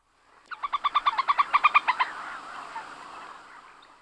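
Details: Common moorhen (Gallinula chloropus) calling in a rapid run of about thirteen loud, clipped, evenly spaced notes over one and a half seconds, then a soft rushing background.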